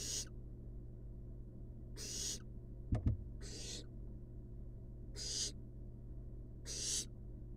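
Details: Wild barn owl babies napping in a monitored nest box give six rasping hisses at fairly even intervals. A brief double knock sounds midway, over a steady low hum.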